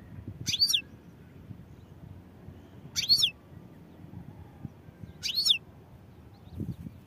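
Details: Goldfinch repeating a short high twittering phrase three times, about every two and a half seconds, each a tight cluster of sharp notes with a falling slur, quiet between.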